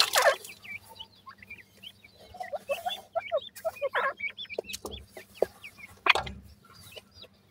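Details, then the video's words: Several grey francolin chicks peeping: quick high upslurred cheeps tumbling over one another almost continuously, with a few sharp louder clicks and a faint low steady hum underneath. "grey francolin bird chicks ke natural voice"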